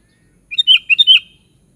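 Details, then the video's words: Sooty-headed bulbul (kutilang) singing 'gacor' style: one short, rich phrase of about five bubbly, warbled whistles run together in under a second. Clean, quiet background. "SUARA BURUNG KUTILANG"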